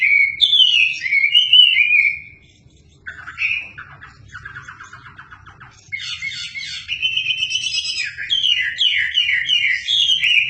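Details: Chinese hwamei singing hard as a tutor for magpie-robins: bright falling whistles, a pause, a soft scratchy chatter, then loud high twittering phrases in quick succession.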